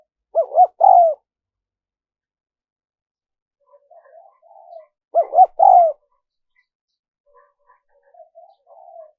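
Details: Spotted dove cooing, a recording used to lure wild doves: two short bursts of low, hoarse two-part coos about four seconds apart, with faint soft murmuring notes in the gaps and otherwise quiet.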